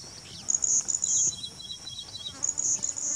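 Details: A West Himalayan bush warbler (Locustella kashmirensis) sings in the grasslands of Manas, possibly breeding there. It gives a very high, thin, insect-like buzzing trill in two sustained bursts, with faint higher chips in between.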